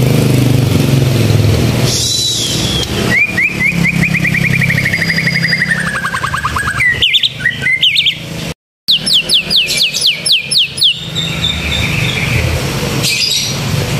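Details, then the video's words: Vigorous canary-style song from a white-rumped shama: a long, fast, even trill that slowly drops in pitch, followed after a brief gap by sharp rising whistles in quick succession, with a low background hum. "Murai batu suara kenari gacor"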